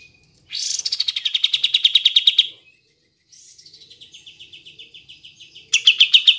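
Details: Kapas tembak, played to spark singing in lazy caged birds: three runs of rapid, sharp, repeated high notes, the first loud and about two seconds long, the second quieter and slower, the third loud again.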